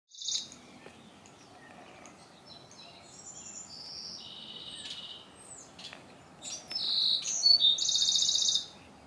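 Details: Wrens singing and communicating with each other: high, thin bursts of varied notes, some short and buzzy, ending in a louder rapid trill, over a faint background hiss.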